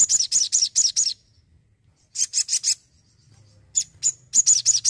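Crimson sunbird singing quick bursts of four or five very high, thin, sharp notes, with brief pauses between bursts and a faint low hum behind.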